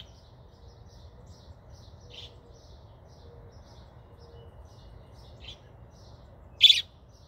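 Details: Fledgling American robin begging for its mother, giving faint high chirps and then a single loud, piercing chirp near the end, with a quiet steady hum behind.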